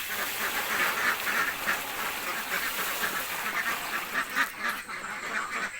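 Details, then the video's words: Hungry ducks in a village give a steady stream of rasping quacks, many voices layered into a continuous, slightly hissy chorus. "duck quack hungry sound effects"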